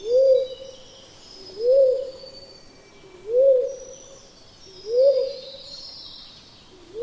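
Pink-headed fruit dove giving soft, low, slightly arched hoots, one about every one and a half seconds, over a faint high insect hiss.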